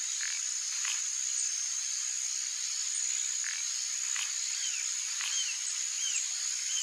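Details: A free-living pair of White-headed Marsh Tyrants in Brazilian wetland habitat gives short, thin notes, some hooked and falling, roughly once a second, over a steady high insect drone.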